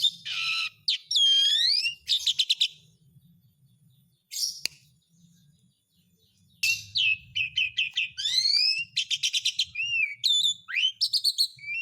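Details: Asian pied starling song used as a lure to get lazy or silent birds singing again: bursts of whistled, rising and falling notes and rapid harsh chirp series, with a quiet pause in the middle before varied notes resume.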